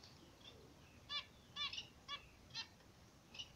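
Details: Zebra finch pair basking in morning sun: about six short, bright, stacked nasal notes, spaced roughly half a second apart, with quiet gaps between them.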